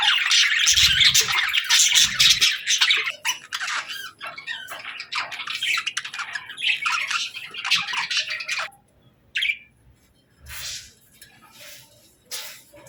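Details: Pet budgerigars chirping happily while eating their favorite food: dense, scratchy warbling chatter with rapid squawky notes for about eight seconds, then sparser short chirps and brief pauses, a few low thumps early on.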